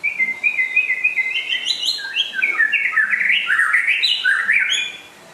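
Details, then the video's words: Rare white-rumped shama from West Aceh delivers a continuous, varied warble: trilled whistles climbing gradually higher, mixed with quick chattering notes and high squeaks. "Kicau Burung Murai Asal Aceh Barat Langka Gacor Jos"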